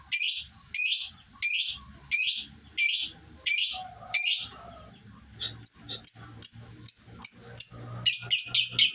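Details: Lovebird practising the ngekek song, its duration starting to extend; evenly spaced piercing chirps give way to faster, thinner high ticks that run together into a rapid trill.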